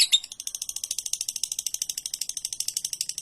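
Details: Lovebird giving a long ngekek trill, a master recording for training birds: a fast, even, rattling chatter of high notes repeated about ten times a second, sustained without a break.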